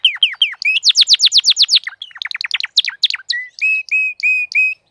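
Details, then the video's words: Crested canary singing vigorously: descending slurred notes, a fast run of steep downward sweeps, choppy varied chips, then evenly spaced clear whistled syllables about three per second. "تغريد كناري متوج (مقنبر) Chant Canari Pleine de Forme"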